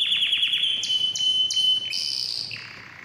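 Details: Canary song played to stimulate males and females for mating: a fast run of high descending chirps, then sharp clicking notes repeated about three times a second over a steady high whistle, ending in a softer buzzy trill.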